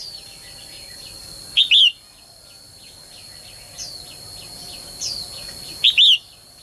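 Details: Calling female bird trying to set males singing; two bright double-noted calls about four seconds apart, plus a few softer rising whistles and a steady stream of faint ticking chirps under a high electronic-sounding whine.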